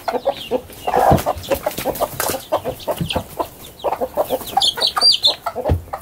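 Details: A flock of chickens, large and small, hurrying from the coop into a garden at daybreak. Busy overlapping clucks, one louder drawn-out cackle near the start, then rapid chatter throughout.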